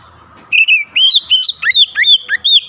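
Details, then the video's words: Oriental magpie-robin singing at full voice to provoke other magpie-robins, showing off its repertoire: after half a second of quiet, a rapid run of loud, sweet whistled phrases with rising and falling slurs, packed closely together. "KICAUAN PEMANCING KACER LAIN LANGSUNG MEMANAS GACOR BONGKAR ISIAN"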